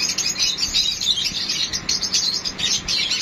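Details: Sun conure; mating chatter; mating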